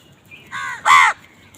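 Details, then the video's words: Crows fighting over food: two harsh, nasal caws, a shorter one followed by a louder, longer one, against a quiet background. "কাকের ডাক Crows fight for food Crow Sound"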